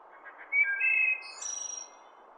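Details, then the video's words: Single wood thrush song phrase in forest surroundings: a few soft low notes, a loud fluted whistle, then a shimmering high trill fading away, over a steady background hiss. "wood thrush bird sounds"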